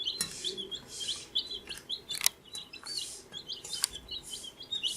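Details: Fourteen-day-old chicken chicks peeping constantly, a dense chorus of shrill, high whistled chirps, many short and downslurred, several birds calling at once, with occasional sharp tapping clicks.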